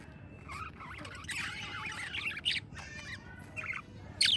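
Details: Budgerigars singing: a busy warbling chatter of squeaky, looping notes and short chirps, with brief louder sharp squawks near the end over a low background hum.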